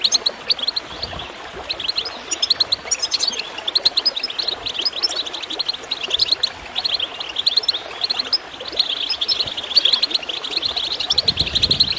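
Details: Dense, continuous goldfinch chirping over gurgling water, intended to encourage caged birds to sing; the high twittering barely pauses, and a low water rush swells near the end.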